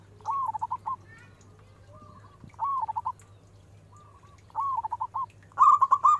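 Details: Local zebra dove, perkutut, singing loudly as a lure to draw quick answers from other doves: rhythmic phrases of soft, mellow coos, each a short rising note followed by a run of rapid repeated notes. The phrase comes four times, with a low hum behind.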